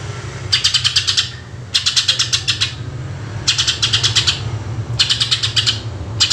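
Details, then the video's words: Greater green leafbird, lure recording in 'tembakan' style: five evenly spaced volleys of six to eight hard, rattling high pulses, about one every 1.3 seconds, over a steady low background hum. "Cucak Ijo Gacor Full Tembakan Suara Asli Jernih"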